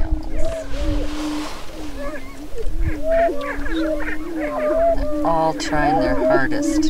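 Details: Greater prairie-chickens at their lek near Crookston, Minnesota, 27 April 2013, in the spring mating display. Low hollow booming continues with evenly spaced arched whoops, then a harsher stacked cackling and honking flurry late on.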